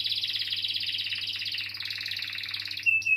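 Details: Canary singing a continuous fast rolling trill, played to encourage young or silent canaries to sing, ending with a short pure whistled note.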